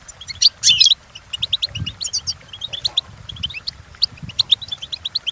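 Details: Goldfinch song meant for teaching birds to imitate: a loud buzzy burst near the start, then a steady run of bright, quick chirps over a constant low hum of background noise.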